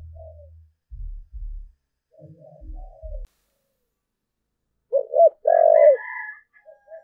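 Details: Spotted dove kept as a lure for wild doves: after quiet thumps and faint coos, one loud phrase of two short coos and a long coo, overlapped by a thin steady higher tone.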